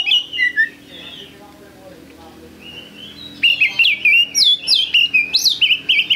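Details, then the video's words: Oriental magpie-robin song recorded as a trigger to make other birds sing: a few opening whistles, a quieter gap, then a lively run of loud, varied whistles and sharp upslurred chirps in quick succession. "Pancingan Kacer Gacor"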